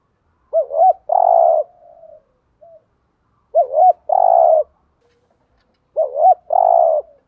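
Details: Spotted dove lure bird coos three phrases at an even pace, each a wavering double note then a long rough held coo, with short soft notes trailing after.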